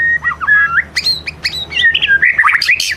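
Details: A white-rumped shama in prime condition delivers a lure song meant to trigger another shama into singing its imitations. Dense, fast phrases mix looping whistles, sharp high chips and squeaky trills with almost no pause.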